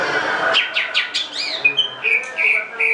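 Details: Greater green leafbird singing: a quick run of five sharp downward-sweeping chirps, then a looping slurred note and a string of clear, high, sustained whistles with short gaps between them.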